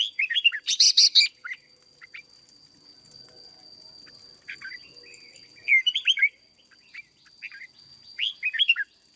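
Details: Caged red-whiskered bulbul, a decoy bird being trained and conditioned into fired-up form: short warbled, slurred phrases around the upper-middle range, repeated in bursts with pauses, one loud broadband rasp early on, and a steady thin whine throughout.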